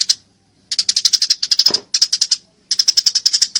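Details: Eurasian tree sparrow in a fight, pouring out fast harsh chirps in three runs of roughly eight to ten notes each, with a brief wing-flutter-like smear midway, clear recording.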